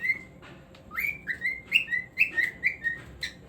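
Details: Whistled singing by a cockatiel: a string of clear, slurred notes stepping up and down, some rising, some falling, mixed with a few soft chirps.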